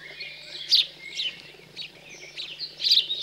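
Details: House sparrows in cold countryside of central France on 15 June 2020, being fed after fledging; a few sharp, high chirps spaced irregularly over a few seconds against a quiet rural background.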